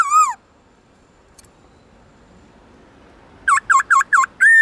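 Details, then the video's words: Black-throated laughingthrush, forest-style song for training birds: one short whistle, a long quiet stretch with a faint click, then four rapid, evenly spaced looping whistles and a final sustained note. "Khướu bạc má HÓT GIỌNG RỪNG tone dài to rõ cực hay| Luyện khướu bạc má hót giọng rừng mỗi ngày"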